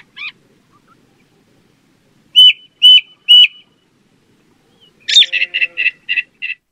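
A ring ouzel gives a short note, then three loud, hard calls about half a second apart, followed by a quick chattering run of six notes.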